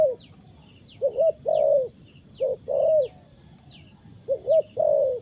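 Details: Coos of a spotted dove in a trapping setting, each phrase two or three short rising notes then a longer mellow hoot, repeated three times, with thin high bird chirps in the background.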